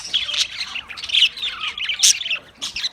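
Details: Australian parrots chirping and squawking, with overlapping bright notes, a few descending whistled slurs, and a loud shrill burst just after two seconds.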